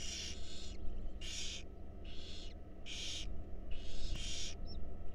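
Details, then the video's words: Barn owl nestlings in a wild nest box at feeding, harsh rasping hisses repeated roughly every half second to second, a click and a brief high squeak near the end, low mechanical hum throughout. "Barn Owl Babies Enjoy A Delicious Meal"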